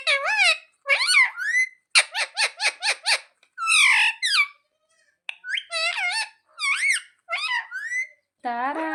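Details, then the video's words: Talking pet parrot taught "mummy papa" produces a long string of nasal, wavering speech-like syllables, a rapid series of six clipped notes, then more bent phrases separated by short silences. "मम्मी-पापा बोलने वाला सुपरस्टार मिट्ठू || 100% असली बोलने वाला मिट्ठू | Viral Parrot Talking Video"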